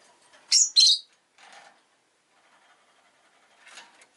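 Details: Rosy-faced lovebird chirping: two loud, shrill, harsh chirps in quick succession, then a softer scratchy note and, after a quiet gap, one more brief high rasping chirp.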